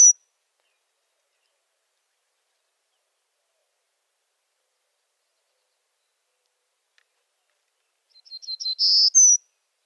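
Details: A Golden-cheeked Warbler in the central Texas juniper hills, its only breeding range, sings near the end after long silence: a few quick lisping notes building into a wheezy phrase that ends on a rising note.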